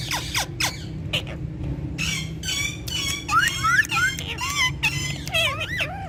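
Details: Ringneck talking parrots speaking Urdu and Hindi produce voice-like harmonic phrases, looping whistled glides and sharp clicks, set against steady background music.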